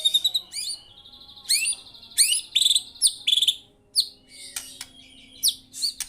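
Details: White-rumped shama in full song, a varied run of clear whistles, sweeping rising and falling notes and short sharp chirps, delivered in quick bursts with brief pauses between phrases.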